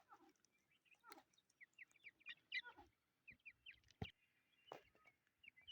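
Chukar chicks give rapid, high, thin peeps, short and slightly rising, scattered irregularly, with a few dull knocks and clicks between them.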